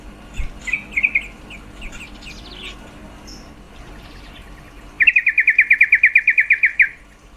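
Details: Female yellow-vented bulbul (trucuk) call, said to stir males' mating drive: a few scattered chirps early, then a fast run of about fifteen even, bright notes repeated for roughly two seconds.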